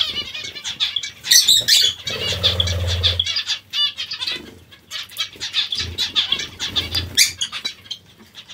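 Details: Zebra finches at a vegetable meal, a busy chorus of short nasal beeps and trumpet-like notes, with low thumping sounds around the third second.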